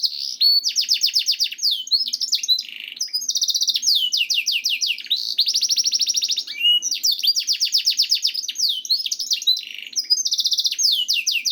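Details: Canary song serving as a training recording to prompt other canaries to sing: rapid rolling trills follow one another almost without pause, buzzy repeated notes sweeping downward, with fine high ticking notes layered above.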